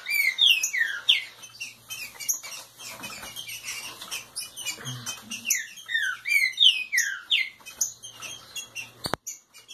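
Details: Aggressive warming-up song of a root-type Green-winged saltator: loud descending whistled phrases in bursts around the first seconds and again near six to seven seconds, interspersed with sharp clicks and chirps, plus a faint low hum.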